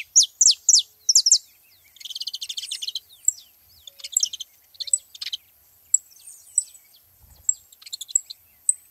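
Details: Saffron finches at a feeding spot: a few loud descending high notes open, then a dense buzzy chatter and many scattered chirps from several birds.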